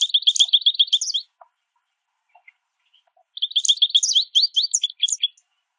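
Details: A small group of American goldfinches calls while eating sunflower seeds at a backyard mesh feeder. Two bursts of high, quick twittering chirps are heard, each a rapid run of about ten notes, separated by a near-silent gap.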